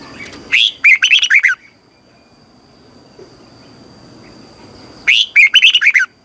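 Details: Caged red-whiskered bulbul during Vietnamese morning song training: two matching bursts of rapid, rich warbled notes about four seconds apart, each with six or so looping whistles, over a faint hiss.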